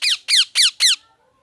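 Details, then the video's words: Loud parrot: four rapid harsh screeches evenly spaced about a quarter second apart, each raspy and sliding downward, then silence. "Loud parrot sound"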